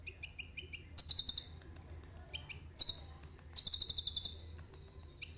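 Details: Common iora singing in full voice, filled with cililin-style phrases, recorded on a phone camera; short spaced high tinkling notes alternate with dense, very high, rapid trilled bursts.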